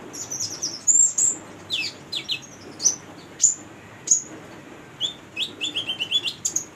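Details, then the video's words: Lively singing from a female konin, or ruby-cheeked sunbird, used as a model for young birds: a quick series of very high, piercing tweets and descending slurred notes, ending in a rapid run of short chirps. "Konin betina gacor buat pancingan konin bahan"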